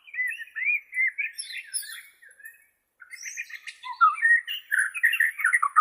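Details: Bornean white-rumped shama, original recording for training captive shamas: lively, looping warbled phrases, a brief pause, then faster bubbling trills and high whistles.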